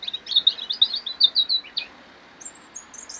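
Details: European robin (Erithacus rubecula) singing in 2016: a rapid, liquid jumble of high twittering notes, followed by a few thin, very high sibilant whistles.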